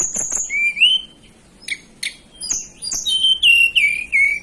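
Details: Hill blue flycatcher native to the Banten and West Java mountains, Indonesia: clear, sustained high whistled notes, some gently rising or falling, interspersed with sharp ticking clicks and brief gaps.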